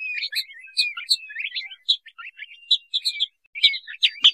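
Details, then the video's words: Crested partridge, given as a lure call for trapping, with dense high chirps and short twittering notes crowded together, plus brief clicks near the end. "suara panggilan burung puyuh sengayan atau peniol ( peniolan )"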